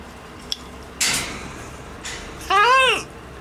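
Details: Clara, a talkative pet blue-and-yellow macaw in her outdoor rooftop aviary on an August day, gives a harsh breathy burst, then a drawn-out, rising-and-falling speech-like utterance with a rich, voice-like tone; a faint click comes before.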